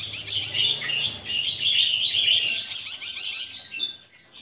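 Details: Caged Javan bush lark pours out a continuous high warbling song, busy twittering notes running without pause before fading at the end.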